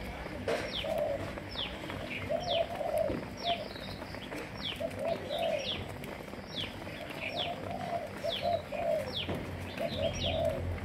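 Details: Captive Malaysian-line spotted doves kept for breeding, cooing: soft mid-pitched coos repeated in short series throughout, with sharp high down-slurred chirps from other birds above and constant background noise.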